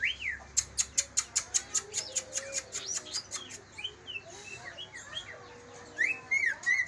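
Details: Greater green leafbirds of Kalimantan and Banyuwangi origin, song used to trigger singing in other leafbirds: a rhythmic series of about fifteen sharp ticking clicks, then scattered chirps and upswept whistles.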